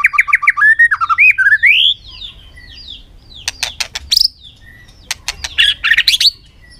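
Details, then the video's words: Contest-singing white-rumped shama in afternoon sun, tail-flicking on its perch: a rapid run of rising whistled notes slurring upward into a long sweeping phrase, then bursts of hard clicks and bright chattering notes. "chòe lửa căng lửa hót đấu siết nắng chiều"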